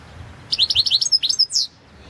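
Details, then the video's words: European goldfinch, Balkan race, in a 2022 song competition entry, delivers a lively phrase of short dropping chirps, a few pure high whistles and a final slurred downward note, all very high-pitched and crisp against a quiet background. "World Championship in Goldfinch Song"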